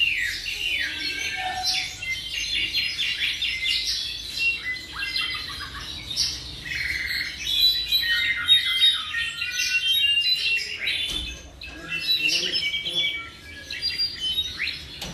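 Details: Tropical mockingbird about seven months old sings a long, varied sequence: fast chatters, squawky bursts, clear whistled notes and slurred phrases, with short gaps between runs.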